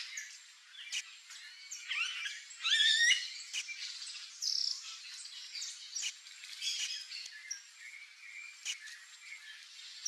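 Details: Variable oriole, a species without sexual dimorphism, calling: a loud burst of clear whistled and chattering notes, followed by scattered higher chirps, with sharp clicks and other small birds in the background.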